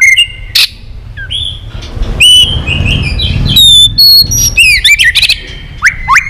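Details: White-rumped shama in an excited singing bout, caged and stimulated to sing with many voices: scattered clear whistles and sharp upslurred notes separated by pauses, over a low background hum.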